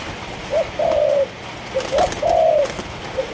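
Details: Spotted dove of a Malaysian line raised as a cage bird, cooing two phrases. Each phrase is a short upward note followed by a drawn-out, hollow coo that sags at the end. Light tapping sounds come from nearby.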